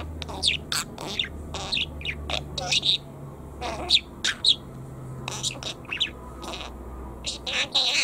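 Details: Pet Lutino budgerigar chattering in its talking voice: short, high, scratchy bursts and chirps scattered across eight seconds over a low, steady indoor hum.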